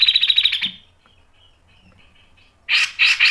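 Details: Grey-cheeked bulbul, masteran recording: a quick rattled trill fading out, near silence, then three loud harsh chattering notes close together.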